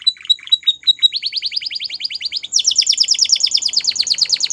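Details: Belgian canary song of quick chirps leading into a long, even trill of rising notes that jumps higher and continues as a fast rolling series.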